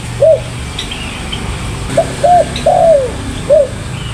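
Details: Spotted dove calling: a single soft coo, then a phrase of short coos ending in a long falling note and one last coo, over a low hum.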